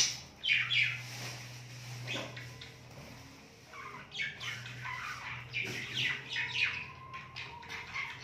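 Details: A budgerigar eating coriander chirps in quick, scratchy bursts of high notes, with a low steady hum underneath.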